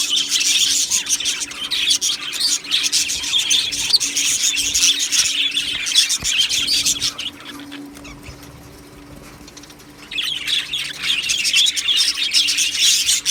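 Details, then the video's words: Aviary colony of budgerigars, Australian parrots, recorded 1 July 2025: dense high chirping and warbling chatter from many birds, dropping to near quiet for a few seconds midway before resuming. "beautiful Budgie birds chirping sounds"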